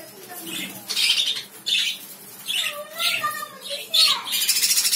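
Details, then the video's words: Pet lovebirds squawking in rhythmic bursts about every second, with a few clearer whistled notes that slide up and down between the harsh calls. "Love birds sounds"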